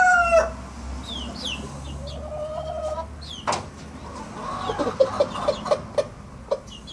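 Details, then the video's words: A young Collonca rooster giving some of its first crows: a hoarse, wavering drawn-out note, then a sharp clatter and a quick run of short clucks. "Empezando a Cantar Mi Gallo Kollonko"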